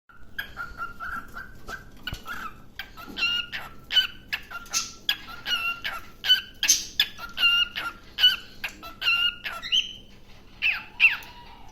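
A cockatiel sings a string of bright, chirpy whistles and short warbled notes.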